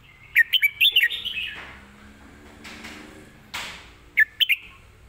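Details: Red-whiskered bulbul kept in a cage, singing live in a fast, well-phrased style: a quick run of bright, warbling whistled notes opens, a rustling noise follows, then another short rapid phrase near the end.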